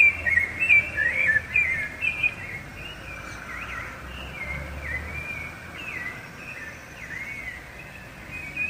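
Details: Rufous-bellied thrush song, used for claiming territory and attracting a mate: loud whistled warbles over the first two seconds, then softer, more distant-sounding phrases continue over steady low background noise.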